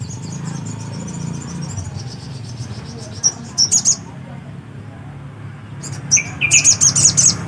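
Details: Black-capped white-eye singing in short bursts: soft high twitters, a brief pulsed phrase, a pause, then a louder run of quick, high ringing notes over steady background hum.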